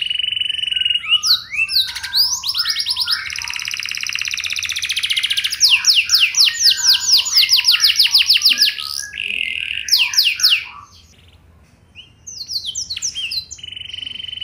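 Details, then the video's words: Canary singing in a long varied lure song meant to prompt other canaries to answer: steady high tones, fast buzzy trills and series of rapid falling sweeps, a short quiet gap, then more trills. "99,99% Burung Kenari Lain Bakal Langsung Nyaut! Pancingan Burung Kenari Lagu Mewah Cengkok Joss"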